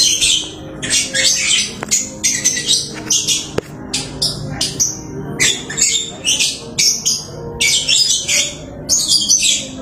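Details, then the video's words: Lovebird, a house bird, singing busily: dense bursts of harsh, squeaky chatter and shrill twittering, each lasting about half a second to a second, separated by brief pauses, with occasional clicks in the background. "Burung Lovebird rajin kicau"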